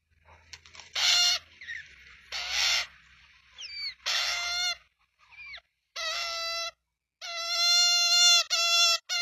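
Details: Australian magpie chicks in a nest in Melbourne at feeding time on 23 September 2022, recorded by nestcam. Harsh, rasping bursts give way to nasal, harmonic begging squawks that grow into longer, steadier wails toward the end.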